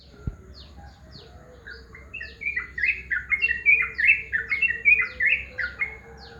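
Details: Morning calls of a yellow-vented bulbul: an energetic, bubbly cascade of quick chirps and gurgles lasting several seconds. Another bird adds high, thin descending notes in the background.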